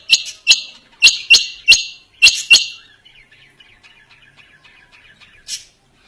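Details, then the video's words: Quail call: a burst of seven harsh, clipped high notes in quick pairs, then a faint thin twittering trails off, followed by one last sharp note. "Dhoghla Batair Ki Awaz | Harlequin Quail Calling | King Quail Calling | Female Rain Quail Calling"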